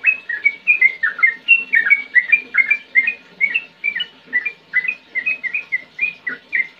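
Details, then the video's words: Rapid chattering song of a sooty-headed bulbul in ngetir and ngerol style: bright whistled notes, some rising and some dropping, delivered about twice a second in a continuous, energetic flow. "Trucukan Gacor Ngetir NgeroL JUARANYA untuk Menjadikan Trucuk Gacor Muda & Macetan LANGSUNG NYAUT"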